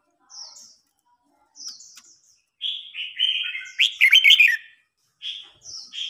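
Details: Red-whiskered bulbuls in a singing contest, an old bird against a young bird that grows agitated and fired up. Thin high notes come first, followed by a run of loud, fast chattering and warbling notes and then further high phrases.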